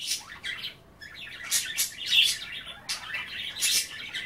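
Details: Caged budgies chatter as they nibble wet kale during bath time; quick jumbled chirps and raspy squawks in uneven bursts, with a short pause near the first second.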